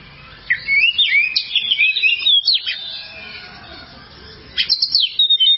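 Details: Oriental magpie-robin tutor song (masteran kacer) for coaching cage birds: a dense burst of bright whistled and twisting notes, a pause of about two seconds with faint background noise, then more sharp, high phrases.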